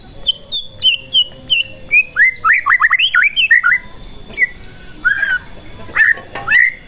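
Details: White-rumped shama singing to provoke other shamas into singing: a varied run of clear whistled notes, short rising and falling phrases and quick slurred chirps, repeated in bursts; a steady faint high tone runs throughout.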